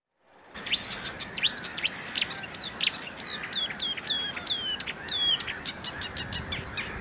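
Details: Marsh Warbler (Acrocephalus palustris), a small migratory songbird of reeds and wetlands, sings a fast run of varied high notes, sharp rising and falling whistles and chirps, with steady hiss underneath.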